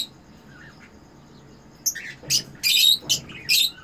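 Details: Red-eyed Eno cockatiel breeder pair in captivity, mating: near-silence with a faint soft whistle, then a rhythmic series of five or six harsh, buzzy squawks in under two seconds.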